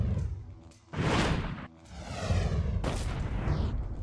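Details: Deep booms and rushing whooshes in bursts, with a brief droning tonal hum between them and no animal call.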